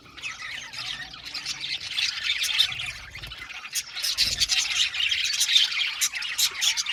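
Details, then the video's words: Australian budgies kept as an aviary colony keep up a rising, steady babble of scratchy warbles and bright clipped chirps, growing louder in the second half. "Budgie amazing chirping sound | Budgies calling sound to make him happy"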